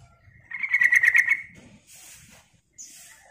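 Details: Lure call of a sooty-headed bulbul: one rapid harsh chatter of quickly repeated buzzy notes for about a second, followed by faint hissy rustling and a brief high squeak.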